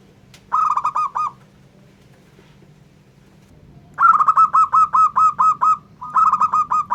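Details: ['Zebra dove of a local type singing to provoke rival doves: a short burst of staccato coos, a pause, then a long string of about ten rhythmic cooing notes and another burst starting, with low background hum.']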